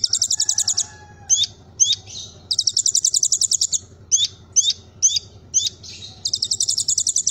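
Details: Kolibri Ninja sunbird performing a 'Cililin' filled song: fast high rattling trills, then a series of separate sharp upslurred chirps about twice a second, ending in another rapid trill, over a low steady hum.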